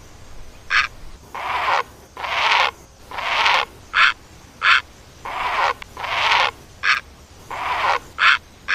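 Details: Series of coarse, grating croaks from a great egret, mixed with short bright squawks. The calls come in quick succession, about every half second, with no other sounds.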